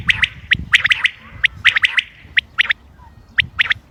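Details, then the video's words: Common quail calling on 28 May 2025, used for hunting: sharp, high, clipped notes come in quick doublets and triplets, repeating at short irregular intervals over soft low noise. "quail bird sounds common quail bird sounds بٹیر کی آواز شکار کیلئے"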